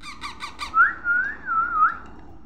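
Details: Baby parrot giving four quick harsh rasping notes, then a long wavering whistle that rises and falls several times before fading.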